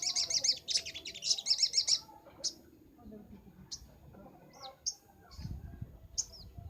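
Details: Sunbird in chatty 'nembak' song for training birds: a fast, high, buzzy trill in two bursts, then sparse thin chirps over a soft low rumble.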